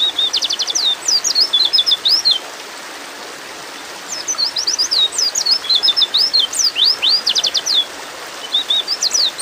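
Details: A white-eye gives rapid, thin, high twittering in quick bursts of sharp up-and-down notes, pausing briefly between runs, over a faint background hiss. The recording is used as therapy to get white-eyes singing quickly.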